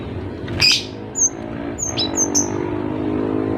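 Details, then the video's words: Tutor recording of a singing Cinereous tit: a burst of high whistles, several short down-slurred notes in quick succession, with low traffic-like rumble and a loud broadband sound near the start. "Masteran gelatik batu gacor agar burung gelatik lain ikut Gacor"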